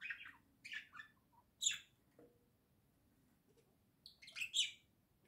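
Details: Two pet budgerigars indoors, one sitting in a little house with the other close beside it: short bright chirps and squeaky notes come in scattered bursts separated by brief quiet gaps.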